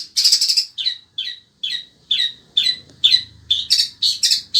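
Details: In sweltering heat, a kept Indonesian long-tailed shrike of the sembur variety opens with a dense buzzy rattle, then repeats clipped, downslurred high notes roughly twice a second.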